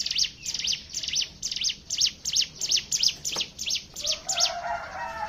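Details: A hill prinia sings a steady run of sharp, high chirps, roughly three a second, used as a lure recording to get other birds singing. Faint lower whistles enter near the end.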